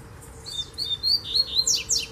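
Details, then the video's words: Distant Double-collared seedeater in bamboo, wild, delivering a rapid phrase of clear, high whistles that step along evenly, then end in a few sharp, downward-slurred buzzy notes. "Coleiro Mateiro Cantando no Bambuzal de Longe!!!"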